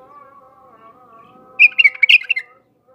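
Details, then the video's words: Bulbul from Iraq: a quick run of rich, warbling whistled notes over a steady, low droning tone in the background. "تغريد بلابل العراق"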